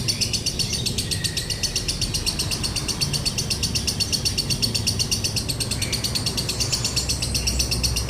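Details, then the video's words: Lovebird in dry-toned konslet song, recorded as a tutor track: very fast, steady, unbroken chattering of harsh high chirps, about four per second, with a low hum beneath. "MASTERAN LOVEBIRD KONSLET NADA KERING | PANCINGAN SUARA LOVEBIRD KONSLET"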